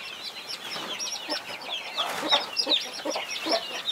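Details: Twenty-one chicks with their protective mother hen: rapid, overlapping high peeps, many sharply falling, at about two or three per second, with muffled low clucking below.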